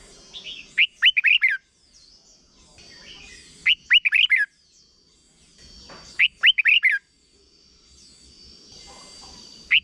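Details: A red-whiskered bulbul sings short songs played to teach young birds, bright, bubbly phrases of four or five quick slurred whistles repeated about every two and a half seconds, with faint background chatter.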